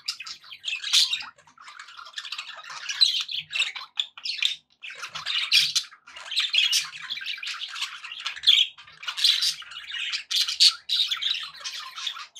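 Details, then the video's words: Pet budgerigars in a happy mood, keeping up a long stream of chirping, scratchy warbles and clicks, steady and busy throughout with only momentary breaks. "happy budgie sounds"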